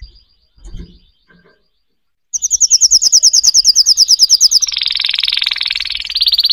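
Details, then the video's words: Singing canary in a fast rhythmic trill of rapidly repeated high notes, shifting to a denser buzzy rolling trill, after a few faint knocks at the start. "chant singing canaries 12 تغريد الكناري"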